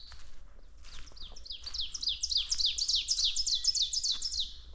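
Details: Two loud Ovenbirds right beside a farm trail on a clear, calm, frosty spring morning, May 12, 3-12C, singing ringing two-note phrases repeated quickly and swelling, voices overlapping, with Wood Thrush, warblers and other birds faint behind.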